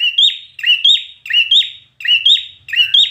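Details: Red-whiskered bulbul in competition singing: five loud whistled phrases, each sliding up and ending in a sharp twist, spaced about every half second, with a faint low hum behind.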